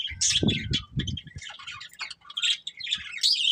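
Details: Breeding pair of budgerigars: busy, scratchy warbling and sharp chirps in quick succession, alongside a brief low rumbling noise near the start.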